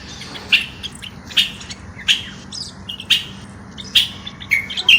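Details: Common bulbul, Moroccan, calling: short sharp whistled notes repeated roughly every 0.8 seconds over a steady low hum.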